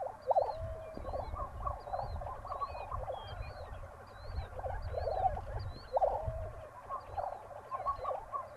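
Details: Lesser prairie chickens in the Southern Great Plains near Buffalo, Oklahoma, early morning 2009: a chorus of short hollow hooting and cackling notes in bursts, while other birds whistle high slurred phrases and low wind rumbles.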